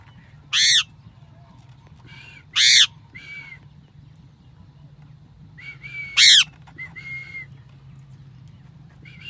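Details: Parrot giving three loud broadband squawks spaced a few seconds apart, interspersed with softer nasal, flat-pitched calls, against a low background hum.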